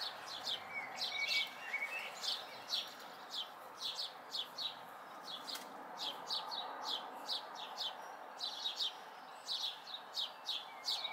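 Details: House sparrow fledglings in May 2020 keep up a busy stream of short, falling chirps, several birds overlapping at times, with a thin whistle near the start and steady ambient hum.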